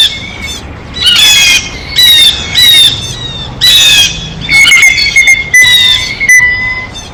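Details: Blue jay at its feeder: after a quiet start, four or five loud raspy squawks spaced about a second apart, then softer rough notes over a steady high whine.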